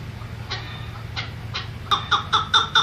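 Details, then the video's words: A songbird called Quebec gives three soft, breathy notes, then five quick, clear two-toned chirps about a fifth of a second apart, over a low hum. "SUARA Quebec SANGET CANTIK"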